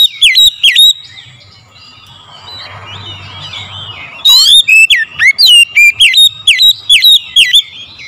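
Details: Morning lure song of an oriental magpie-robin: bright, sweeping whistles and chirps in fast repeated phrases, briefly pausing before a long lively run, over a faint low hum.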